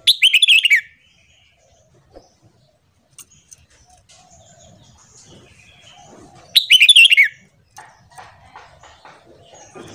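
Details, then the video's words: Red-whiskered bulbul morning song meant for training: two loud, bubbly whistled phrases about six and a half seconds apart, with scattered faint clicks and soft chirps in the quiet gap. "Luyện Giọng Chào Mào Hót Sáng"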